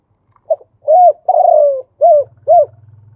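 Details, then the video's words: Spotted dove male giving a khu ang phrase with a two-note khan yon ending: a soft short note, an arched coo, a long falling drawn-out coo, then two clipped coos, with a low buzzing hum at the end. ""มาชม คูอ่าง ขันโยน2กุก" พ่อนกคูอ่าง ภาพเสียงชัด"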